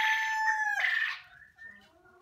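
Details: Young quail filmed at a poultry unit giving a loud, buzzy, steady call that breaks into a second harsh note and fades into quieter tones.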